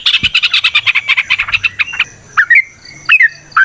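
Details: Sooty-headed bulbul (trucukan) singing a natural wild-style ropel panjang song used as a lure: a fast run of chattering notes for two seconds, then separate bubbly, upslurred whistled phrases with short pauses.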